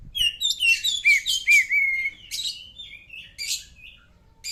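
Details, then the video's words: Oriental magpie-robin song, meant for pet birds to answer: clear looping whistles and sliding phrases, then fainter scratchy notes and a sharp burst at the end. "burung kacer cocok buat sautan burung anda"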